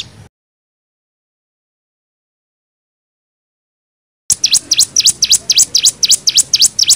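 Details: Cigun nembak song for tutoring young birds: a long silence, then a fast series of sharp, high, down-and-up swept notes in the last few seconds.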